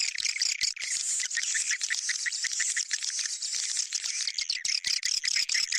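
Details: Swiftlet-attracting sound, bintang utara variety. A continuous, very high chirring twitter runs with little pause, with rhythmic clicking pulses woven through it.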